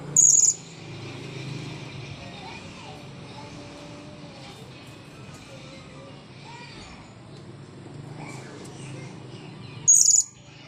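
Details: After bathing, a blue-crowned hanging parrot gives one piercing high squeak at the start and another nearly ten seconds later, with steady low background murmur in between.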